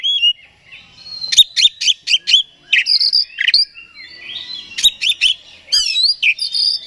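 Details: An oriental magpie-robin delivers a provoking song meant to make another bird agitated: clusters of sharp staccato chips mixed with sweet whistles and slurred phrases, loud and dense.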